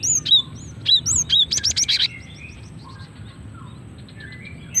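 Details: Female cinereous tit used as a lure to call in males and prompt singing; a few arched whistled notes followed by a rapid rattling run of sharp chips, then near quiet with faint distant notes.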